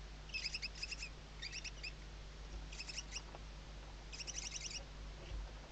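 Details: Western barn owl chicks under their mother's wings at a nest webcam, Riet Vell Nature Reserve, Ebro Delta, Tarragona, Spain, 2023 season; quick bursts of high, rapid chittering twitters, four short runs over a low steady hum.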